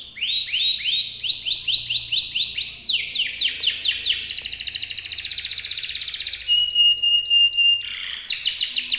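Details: Local canary, praised as a powerful singer with long duration, used as a tutor for training songbirds; continuous loud high song of rapid trills and rolls, shifting between trill types, including a sustained steady whistled tone.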